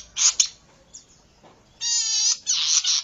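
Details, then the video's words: Zitting cisticola used as a lure and training recording. Brief rasping bursts come first, then after a quiet gap two long, buzzy, harmonic-rich notes sound back to back. "Pikat dan masteran burung cici padi"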